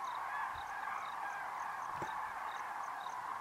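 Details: Massive flock of Common Cranes heading to roost at dusk after a day feeding on grass tubers in the Great Rann of Kutch, winter 2013; thick continuous trumpeting chorus, two brief low knocks.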